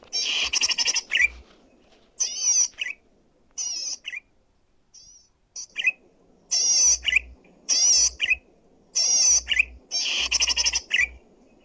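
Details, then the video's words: Loud, clear zitting cisticola song, used for luring or training other birds. Bright high chattering phrases with wavering trills, each closing in a quick upslurred note, come in irregular bursts about once a second after a quieter start. "suara burung cici padi gacor!!!! cocok untuk pikat atau masteran//suara keras dan jernih,!!!"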